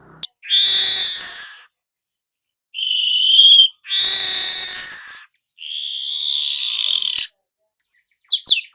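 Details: Weaver song in long loud bursts: harsh buzzy hissing stretches of about a second, a clear steady whistle between, and quick rising chirps near the end.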